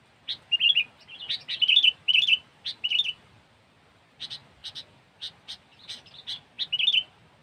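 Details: Sooty-headed bulbul, recorded for bird-luring: a dense run of quick bubbly whistled phrases and sharp chirps, more than a dozen in about seven seconds, with a soft rustling background.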